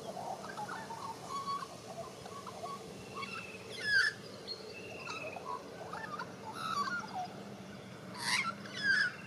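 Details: A white-backed Australian magpie near Melbourne, which had just caught a worm, warbles a rambling run of fluty, gurgling notes, broken by louder bursts near the fourth and eighth seconds, over a steady low hum.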